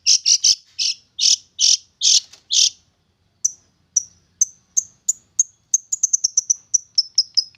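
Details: Young wild-caught long-tailed shrike, tamed for about three months and now singing actively: a run of loud, harsh, buzzy notes, then a brief pause and a fast series of short, high, sharp ticking notes that speed up toward the end.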